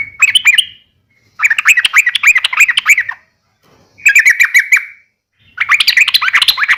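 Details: Uplik tarung fighting call of a yellow-vented bulbul, meant to provoke a reply from other bulbuls: four bursts of rapid, gurgling chatter separated by short silences.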